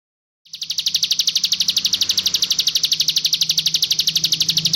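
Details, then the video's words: Sunda warbler song variant recorded for training cage birds: sustained, very rapid buzzy trill of high pulses, about twelve per second, rising in loudness after a silent start, with a faint low hum beneath. "Ciblek Gunung (CIGUN) Masteran Burung Bahan -- 6 VARIAN SUARA YG BELUM KAMU KETAHUI"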